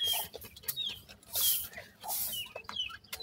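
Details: Baby partridge chicks make piping, descending whistles in quick irregular succession, mixed with hissy rustles and faint clicks.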